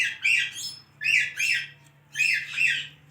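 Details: Talking pet parrot giving three bursts of paired, scratchy, high-pitched syllables, each pair roughly a second apart, over a faint constant low hum.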